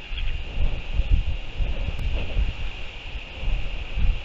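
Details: Gusty wind buffets the microphone with low thumping rumbles and a steady faint hiss, and no animal calls stand out.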